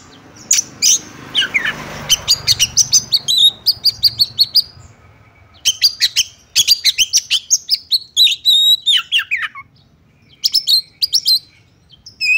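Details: Female Oriental magpie-robin call used to stir males into quick aggression. Faint rustling at first, then long trains of rapid, dry high chirps in quick series, broken by brief silences, with a few descending slurred whistles.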